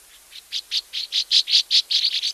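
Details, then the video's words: Northern Rough-winged Swallow, soft, slightly rising liquid chirp: a quickening string of about ten short chirps that grow louder after a faint start, the last few coming closer together; no other sounds. "Northern rough-winged swallow, by contrast, gives a soft, slightly rising liquid chirp."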